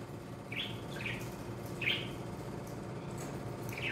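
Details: Two-month-old male lutino cockatiel, newly acquired from a breeder and kept in an isolation cage for quarantine, gives four short, soft chirps, each rising and falling, spaced irregularly about half a second to two seconds apart over a low room hum.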